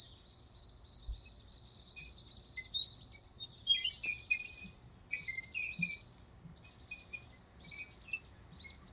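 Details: Birds singing at dawn in a small park during breeding season: a quick series of high thin chirps, then varied sharp twittering phrases repeated at short irregular intervals.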